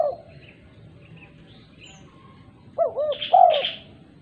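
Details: Calling female spotted dove, summoning other doves; after a quiet stretch with faint chirps from other birds, a two-part coo and a longer coo arrive near the end, overlapped by higher chirping notes.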